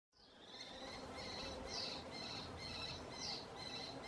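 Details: Canary Islands kestrel calling at Tijarafe on La Palma, a rapid series of shrill, harsh notes repeated about twice per second, bright and high, with the fourth and seventh notes sharper and louder, over steady background hiss.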